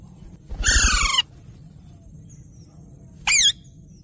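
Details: Parrot letting out one long, grating squawk with a rough, pulsing texture, then a short wavering call after a pause of about two seconds. Low rumbling background noise throughout.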